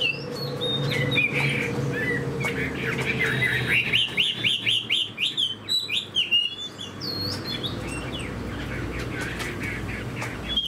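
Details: Fan-tailed Chinese hwamei in a cage, described as a good fighter, giving a quick run of sharp repeated upslurred notes in the middle. Quieter scattered whistles and background hum fill the rest.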